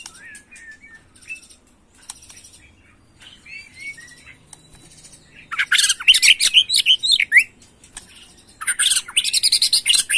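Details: White-rumped shama, agitated, singing in the macul style. Soft, sparse whistled notes open the song, then two loud bursts of harsh, rapid chattering phrases break in, separated by a brief quieter gap.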